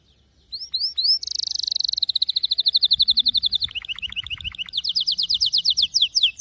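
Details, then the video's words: Lasskot-style canary song opens with a few rising slurs. A dense buzzy trill follows, then a string of crisp downward-sweeping notes, and it ends in rapid, regularly repeated upslurred whistles. "غناء كناري لاسكوت ،لن يصمت كناريك عند سماع هذا الوحش Canary Bird singing"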